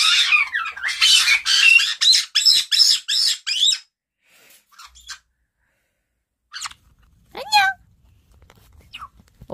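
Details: Caiques screaming, from a household of two black-headed and two yellow-headed caiques where one calling sets off the others: loud harsh bursts, a rapid run of shrill squawks for four seconds, then scattered piercing shrieks with quiet gaps.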